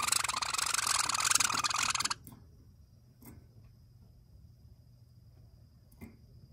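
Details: Java sparrows, seemingly friendly, suddenly turn angry with two seconds of harsh, rapid, hissing chatter, followed by a few soft clicks and one short chip in a quiet room.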